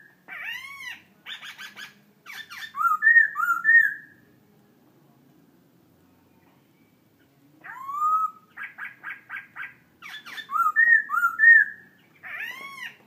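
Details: Laughingthrush song: loud whistled phrases with rising and falling slurred notes near the middle pitch range, bursts of rapid clipped notes and high buzzy harmonics, sung in two bouts separated by a quiet pause, indoors.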